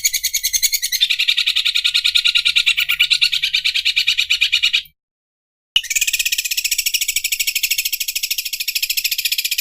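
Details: Sewing-machine imitation by a Greater green leafbird: a continuous high, dense, buzzing rattle of rapid pulses that shifts slightly lower after a second, stops abruptly for about a second, then restarts just as fast.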